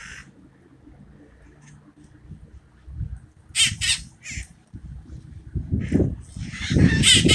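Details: Parakeets living wild in subtropical hill terrain of San Francisco, heard during a mating ritual: a few rasping, grating squawks in short clusters, ending in louder overlapping screeches over low rumbling background noise.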